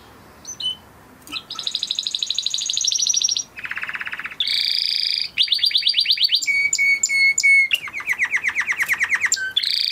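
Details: Huppe (crested) Spanish Timbrado canary male bred in 2020, kept with a flock, giving training song: brief high notes, then a bright fast trill, a low buzzy roll, rapid metallic rattles and a descending throbbing tour.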